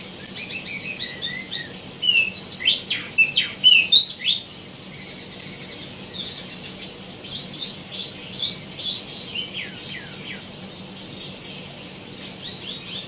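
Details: Tieumi (wambi mini) singing busily with abundant varied phrases: sharp, quickly repeated whistled and chirping notes in clusters, the loudest burst in the middle seconds, then scattered quieter chirps, over light background noise.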